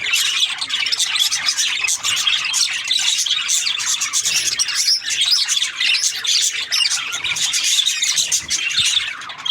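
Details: Budgerigar chirping, many birds at once: a constant wall of squeaky, buzzy chatter and quick high twitters, steady in loudness throughout.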